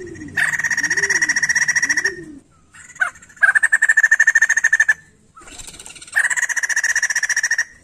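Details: Vigorous song of a white-crested laughingthrush, meant to provoke untrained laughingthrushes into singing. Three long, loud, buzzy rattles of rapid pulses are separated by short pauses, and soft, low, arched hoots sound during the first rattle.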